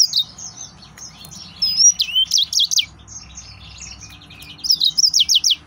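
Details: Excited male yellow-fronted canary delivering sharp, high, looping whistled notes in quick runs. It starts softly, swells into a bright trill near the middle and ends with a fast series of repeated notes.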